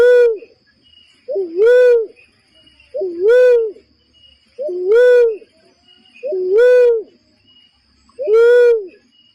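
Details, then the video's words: Steady series of barred cuckoo-dove calls for bird trapping, about every 1.7 seconds: each a brief low lead-in note followed by a loud, hollow, slightly arched 'wooo', six phrases in a row. "SUARA PIKAT BURUNG UNCAL LORENG / MERPATI HUTAN AMPUH"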